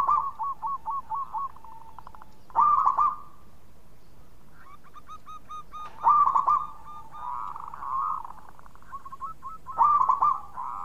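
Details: Local Indonesian zebra dove singing actively, its recording used as a lure for other doves: rapid series of short, low, rolling cooing notes, interspersed with louder bursty trilled phrases every few seconds, with faint background hiss.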